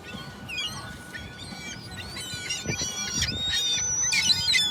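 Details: Gulls call in quick succession, sharp squealing notes and short squawks about four per second, building louder toward the end, with low rumbling noise behind.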